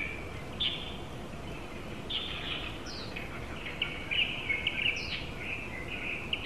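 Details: A pair of Japanese white-eyes at a home window in July 2018, giving scattered thin, high chirps and brief twittering phrases, some with quick upward sweeps, growing busier toward the end, above steady low background noise.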